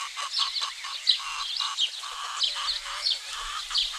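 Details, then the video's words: Domestic hens in a Greek village on a spring morning give steady, repeated low clucks, roughly one every half second, while small songbirds twitter busily overhead. "Roosters crowing & chickens clucking"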